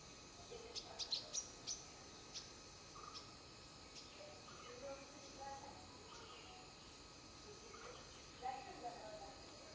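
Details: Mother sunbird at her nest during routine tending. Thin, high chirps cluster in a quick burst near the start, then a few fainter scattered notes follow over a steady background hiss.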